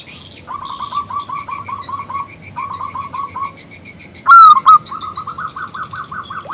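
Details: Local zebra dove, a keen singer whose call stirs a male to respond: long runs of rapid soft cooing notes, then a loud bright whistled burst leading into another fast series.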